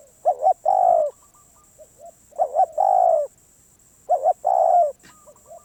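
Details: ['Wild Spotted dove, reportedly very stubborn, repeating its call: a quick double coo leading into a long level-then-falling coo. Three phrases come at even intervals, with soft quiet notes between and a high hum behind.']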